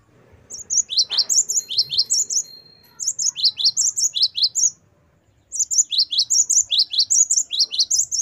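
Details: Great tit singing the wucit variation, used to train captive birds: three bouts of fast, high-pitched doubled whistles with short gaps, plus a faint click near the start.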